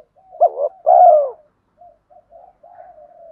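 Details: Spotted dove pair, male and female, calling to stimulate birds in training: two loud, hollow coos in quick succession, the second longer and falling, followed by soft, faint murmured notes.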